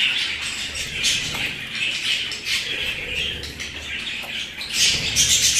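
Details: Several pet budgerigars chirp and squawk rapidly, about two or three notes a second, building to shrill, bright calls near the end.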